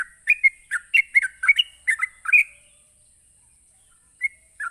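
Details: Rapid provoking song of a sooty-headed bulbul, used to lure rival bulbuls into replying: a quick run of liquid, warbled notes for about two seconds, then silence and two lone short notes near the end.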